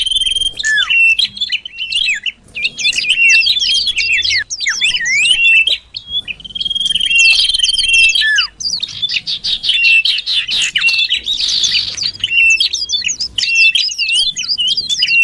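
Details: Common iora calls played to lure birds closer: a long run of busy, varied chirps, trills and whistles, with a steady high tone in places and a few short pauses.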